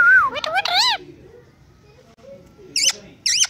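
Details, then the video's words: Talking pet Indian ringneck parakeet giving a descending whistle and quick wavering speech-like syllables, a pause, then two short bright wavering notes. "Indian Ringneck Talking Parrot Talking and Dancing"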